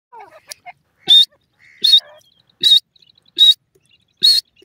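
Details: Partridge call near a cage, with a surprised female bird perched on the cage; sharp, loud, high whistled notes with a buzzy edge, repeated roughly every second, with softer low clucks between them.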